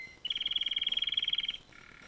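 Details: Canary delivering a single fast trill: evenly repeated pulses, roughly twenty per second, held steady for well over a second, then cut off.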